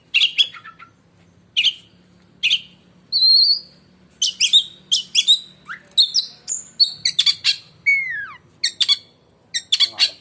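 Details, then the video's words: Oriental magpie-robin, a black-and-white kacer kept as a contest bird, singing a loud, piercing song likened to a lightning strike: bursts of harsh, buzzy high notes mixed with clear whistled tones, a sweeping downslurred whistle and rapid chattering phrases, with short pauses between. "si raja gantangan beraksi lagi dg suara menyambar"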